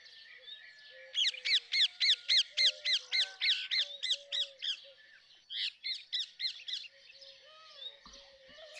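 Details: Long rhythmic string of harsh, shrieking calls from a rose-ringed parakeet, around three to four per second for several seconds, briefly broken then resumed, over low whistling from other birds.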